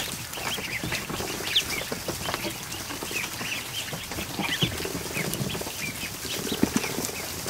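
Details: A flock of over a hundred newly hatched ducklings in a barn kiddie pool in the afternoon; a continuous chorus of high, thin peeps, mostly brief and rising, mixed with splashing and dabbling sounds.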